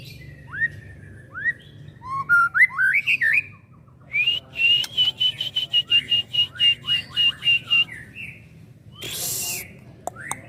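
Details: Young white-rumped shama, a caged bird, singing rising whistled upslurs, then a long run of steady repeated whistled notes about four per second, followed by descending slurs and a brief noisy rasp.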